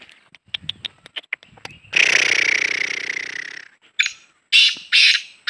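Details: Black francolin, known as kala teetar, giving a loud, harsh, grating call that holds for nearly two seconds after several short clicking notes, followed by three strong raspy bursts.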